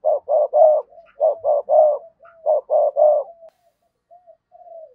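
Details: Decoy spotted dove cooing sa gù and thúc bổi: three sets of three gruff coos, each set closing with a softer trailing note, fading into quiet drawn-out murmurs.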